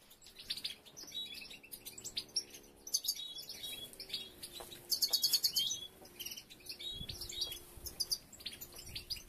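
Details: European goldfinches building nests: dense, rapid high twittering and chirps that overlap from several birds, with a brief louder burst of metallic notes midway and faint low tonal hum underneath.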